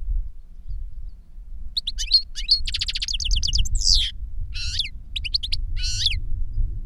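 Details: Caged European goldfinches, a master bird and a young one taught its song from a CD recording of the master, in Spain: bursts of rapid twittering notes, trills and rising-falling whistles, separated by short pauses, over a low steady hum.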